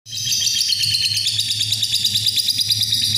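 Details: Lovebird giving a long ngekek, a continuous, high, rapid chattering trill held steadily for over three seconds, with a low hum underneath.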